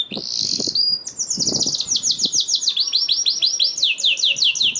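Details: Canary singing to prompt other canaries: buzzy opening note, then a long rolling trill of repeated looping syllables, faint low knocks underneath.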